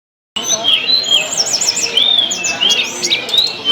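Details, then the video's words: Tledekan song used to stimulate other birds to sing, heard as high whistled slurred phrases and quick rising-falling trills, with a dense twittering background of other birdsong throughout. "tes burung tledekan anda dgn video ini pasti langsung gacor"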